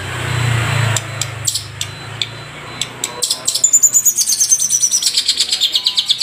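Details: Madura long-tailed shrike in a tutor recording for cage birds. Scattered sharp clicks lead into a fast, even, high-pitched trill with thin descending whistles over it. A low hum sits beneath the opening second.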